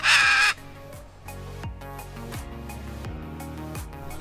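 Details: A pet free-flying macaw gives one loud, harsh, raspy squawk lasting about half a second, followed by background music.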